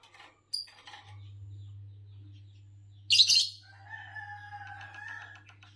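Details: Green Fischer's lovebird giving a single sharp, raspy chirp in the middle, preceded and followed by softer, wavering chatter. A low steady electrical hum runs underneath.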